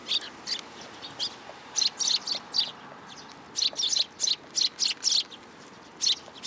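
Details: Sparrows flock in to be fed at a Tenmangu shrine, 10 July 2022. Bright, high chirps repeat in quick succession, each one short and sharp, forming a steady chattering string with small gaps.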